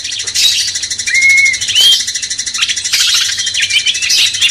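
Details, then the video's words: Cucak cungkok bulbul song used as master training audio to excite a magpie-robin; clear whistled slurs, one long flat note then a rising one, over a steady high hissing, chattering background. "Masteran cucak cungkok bangkitkan emosi kacer"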